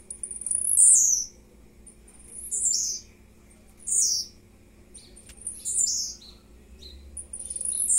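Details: Blue-black grassquit song recorded at 10:50 in the morning on 30 May, with thin, high, wheezy phrases dropping steeply in pitch and repeated roughly every one to one and a half seconds. A low background hum is also present.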